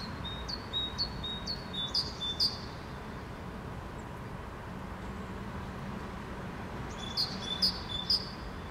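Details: Two great tits in Helsinki, Finland, May 2013, each singing a two-syllable song that differs in pitch and interval. A fainter run of high two-part phrases opens the clip, and a louder bout of three comes near the end, over low traffic rumble.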